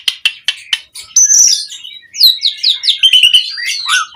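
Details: Lure recording of an Asian pied starling singing mompa: four evenly spaced sharp clicks, then a high whistled note and a rapid run of slurred, squeaky phrases.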